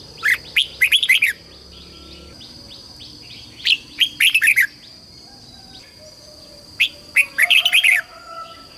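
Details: A red-whiskered bulbul sings a master song with doubled and tripled phrases: bright, bubbly phrases of quick warbled notes, repeated about every three seconds.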